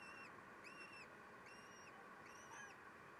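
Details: Common kestrels at their nest at feeding time in May, when the male steals food. Four faint, arched, harmonic call notes repeat roughly every 0.8 seconds over steady background hiss.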